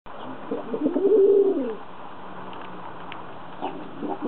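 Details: Kept doves said to have fallen in love: a single low, rolling coo swells and fades over about a second, followed by quiet room background.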